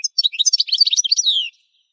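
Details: Goldfinch song used in training: a brisk, tumbling twitter of high notes ending in a drawn-out, descending, slightly nasal slur, then quiet.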